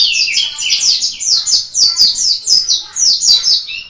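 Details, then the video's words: Indonesian white-eye of the Malang local type singing steadily: dense, high, rapid chattering phrases of slurred downward whistles, bursts repeating in a quick rolling rhythm. "Burung Kacamata Pleci - Mata Puteh Gacor - Lokal Malang"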